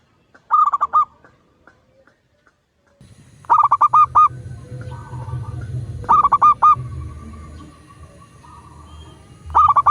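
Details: A local zebra dove gives a master recording meant to get doves calling. It repeats short bursts of four or five bubbling, rolling coos every few seconds over a steady low rumble.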